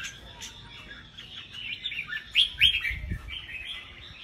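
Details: Red-whiskered bulbuls singing at a caged-bird contest. Continuous soft warbling becomes louder bright whistled notes midway, with some faint low thumps in the background.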